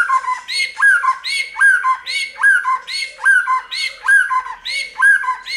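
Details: White-rumped shama song used to prompt birds to sing: a harsh, buzzy phrase with a falling whistle repeats steadily about every 0.7 seconds, roughly eight times, over a constant low hum.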